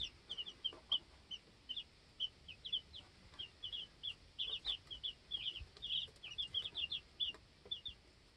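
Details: Flock of two-week-old chicks inside a homestead coop; continuous high-pitched peeping, short clear notes in irregular clusters, growing denser toward the end with faint clicks of movement.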